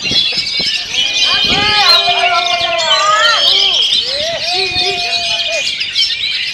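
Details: Oriental magpie-robin (kacer), battered by strong wind, delivers a rapid rolling ngerol nembak song: clear rising and falling whistled phrases over a constant high, chattering twitter.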